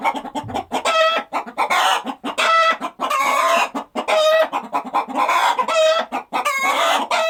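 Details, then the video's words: Chickens on a countryside farm, a busy flock clucking almost without pause, overlapping drawn-out squawks and cackles with tonal, ringing notes over a background of quick short clucks. "Chicken Clucking Sound Effect"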